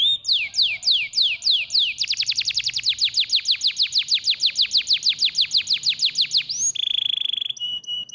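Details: Canary training song to stimulate lazy canaries to sing. A slower tour of downslurred whistles leads into a long, rapid, even roll of sharp repeated notes, ending in short steady whistled tones.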